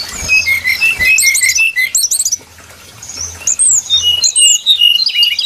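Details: Lure-call recording of a brown-chested jungle flycatcher: steady strings of short high whistled notes, broken by bursts of sharp twittering, a brief quiet gap midway, then renewed whistles and chirps.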